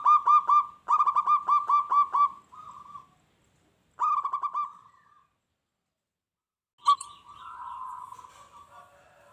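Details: Local zebra dove singing persistently, used to make wild doves answer and fight. Quick strings of punchy coos, each trailing into a held note, and later a wavering, drawn-out cooing phrase after a pause.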